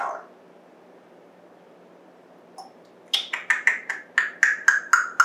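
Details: A talking pet African grey parrot, recorded 14 September 2024, makes a brief sound, pauses, then plays "whoop", giving a quick run of about eleven falling "whoop" notes, roughly four per second, in a quiet room.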